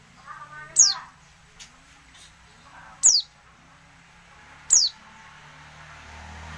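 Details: Oriental white-eye female calling to make quiet males answer and sing. Three brief, piercing, high whistles drop sharply in pitch, about two seconds apart, with faint softer chatter and low hum beneath.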